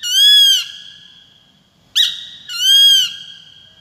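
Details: Peregrine falcon giving a harsh, harmonic-rich call: a long drawn wail, then a short sharp note, then a second long wail, each slightly downslurred, in clean quiet surroundings.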